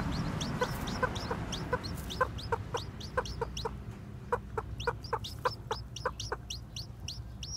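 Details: Several new white Japanese bantam chicks with black tails wander around, piping thin falling peeps in quick, uneven succession, some overlapping, with a soft low rumble underneath.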